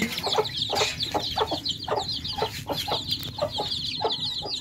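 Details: Baby chicks at fresh drinking water, many peeping together in dense, high, quavering chirps. Steady clicking pecks about every third of a second and a low hum run underneath.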